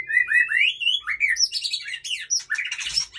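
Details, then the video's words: White-rumped shama, Aceh male alongside a female at Ujong Pancu, singing a rich, rapid, continuous jumble of varied whistles, trills and squeaky phrases, rising slurs at first, then dense overlapping high notes. "Murai Aceh + Betina Supak Ujong Pancu"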